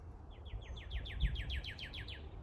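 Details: Wild Northern Cardinal at Spring Creek Preserve, Tazewell County, Illinois, counted as a county bird: a rapid run of about thirteen clear, down-slurred whistles, steady in pitch and pace, over a low rumble of wind.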